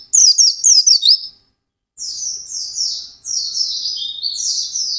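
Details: Fast ngalas song from an intensely singing white-eye: a quick burst of sharp high chirps, a short silence, then a run of buzzy, drawn-out descending notes flowing into one another.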